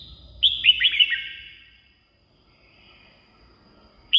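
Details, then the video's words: Red-whiskered bulbul song meant for luring wild birds or exciting caged ones: one quick, tumbling phrase of four or five liquid whistled notes, then quiet before a new note begins. "เสียงนกกรงหัวจุก สำหรับต่อ หรือ เปิดให้นกคึก เสียงเพราะๆ"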